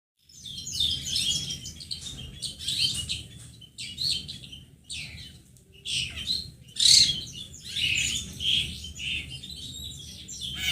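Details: Long-tailed shrike lure recording meant to get young birds to start calling. It consists of harsh, high, scratchy chattering bursts that repeat irregularly every second or so, over a steady low rumble.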